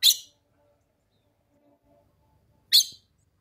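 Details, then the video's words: Two brisk, high, clipped calls nearly three seconds apart, given by a female red-cowled cardinal stimulating the male in the sertão caatinga of northeastern Brazil in summer; otherwise near silence. "fêmea de galo de campina chamando para esquentar o macho"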